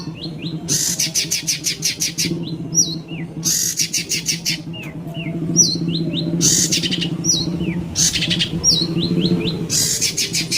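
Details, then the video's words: Long-tailed shrike song played as a lure to prompt other birds to sing: harsh, rapid buzzy chatter bursts alternating with short, sharp whistled notes that rise and fall, over a steady low background hum. "Pancingan burung pentet biyar bunyi"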